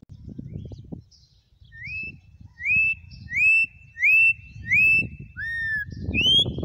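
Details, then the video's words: Campo troupial singing wild in Brazil: loud clear whistled notes, each rising then held, repeated roughly every second, with a final higher slurred whistle; low rustling background noise. "CORRUPIÃO CANTO SELVAGEM"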